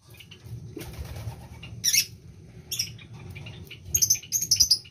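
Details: Lovebird in breeding condition giving short, shrill high chirps in scattered bursts, with a quieter stretch between them and a low background hum.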